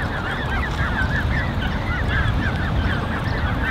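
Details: Chorus of Canada goose goslings, a creche of over 30 young kept by a pair of adults, 13 June 2015: thin, high, curved peeps tumble over one another without pause above low background noise.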